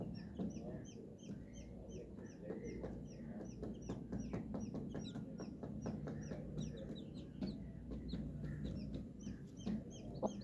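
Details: Baby chickens, colourful chicks, peeping continuously: many short, high, falling peeps overlapping from several birds throughout, over a steady low rumble and scattered tapping clicks.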